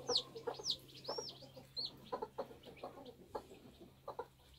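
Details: Newly hatching bantam chicks on a homestead, with loud high peeps that sweep sharply downward, several in the first two seconds, and low short clucks repeating underneath over a faint steady hum.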